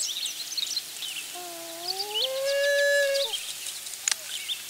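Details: Mother loon wailing near the nest with her chick, possibly because of a nearby intruder; one drawn-out wail rises in two steps to a long steady note, then drops, with small birds chirping faintly behind.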